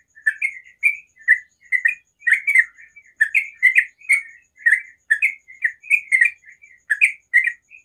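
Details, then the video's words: Sooty-headed bulbul singing a dense ropel song in the morning, a near-continuous chatter of bright, buzzy-edged chirps, often doubled, running two to three per second without a break. "TRUCUKAN ROPEL SUARA ALAM PAGI HARI"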